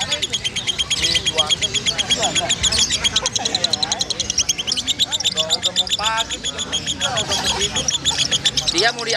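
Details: Lovebird singing ngekek without stopping, even as it is handled: a dense run of fast, shrill, buzzy chatter that stays continuous throughout, with some lower twittering notes and people talking nearby.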